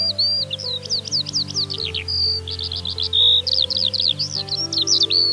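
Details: A captive Eurasian Skylark kept at home pours out a continuous, high, silvery warble of rapid chirps and trills, barely pausing, over a faint low hum.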